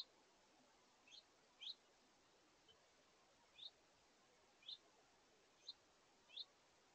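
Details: Crisp, high chirps every second or so, some paired, from house finches at a feeder. A family with juveniles is eating together at late morning on 17 August 2023.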